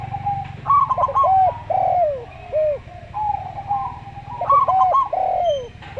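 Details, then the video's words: Slow-style song of a local zebra dove: clipped rapid notes running into looping, falling coos, repeated twice, over a low continuous hum with other soft cooing. "Perkutut Lokal Suara Slow"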